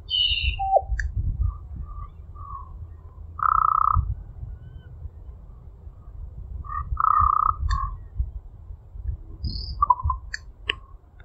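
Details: Common raven at a park giving unusual, varied sounds: high whistles, short knocks, drawn-out tonal notes near one kilohertz and two trills; the recordist suspects it imitates another bird, the trills resembling Northern Flicker drumming; low rumbling background.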